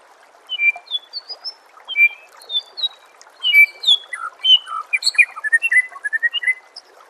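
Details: Rich, varied song of a white-rumped shama from a recording used to train songbirds: separate fluty whistles at first, then a dense burst of quick chirps, slurs and trills growing louder toward the end.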